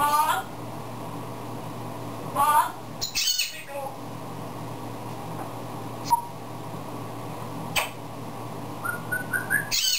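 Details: Talking African grey parrot kept indoors as a pet, producing scattered squawks, clicks and short whistled notes over ten seconds, with a rising whistle at the close; quiet room background.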